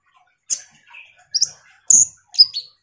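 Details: Van Hasselt's sunbird (kolibri ninja), singing vigorously, used as a lure to get a lazy bird to sing: sharp, thin high chirps and short whistled notes spaced about half a second apart, some dropping slightly in pitch.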